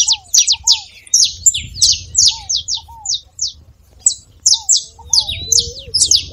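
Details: Two bursts of saffron finch song, rapid high chirps broken by a short pause, with low rising whistles underneath.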